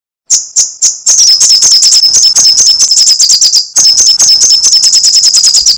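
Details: Sunbird, called kolibri sogok ontong or srigati, in lively crecetan chatter: three spaced high sharp notes, then a fast, dense, buzzy chattering trill held high, briefly broken near the middle before resuming.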